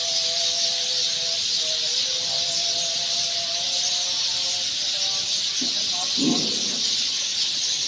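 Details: A crowd of Sind sparrows chirps continuously from tree nests at evening, shrill and unbroken, over a distant sustained chanted call to prayer and a brief nearby voice near the end.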